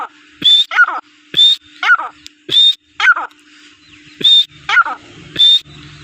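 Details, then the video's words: Francolin known as Iranian teetar repeating paired calls, a high whistled note followed by a harsher descending rasp, every second or so, with a faint low hum underneath. "Teetar ki awaz| Teetar voice | Sound of Teetar |Iranian teetar ki awaz"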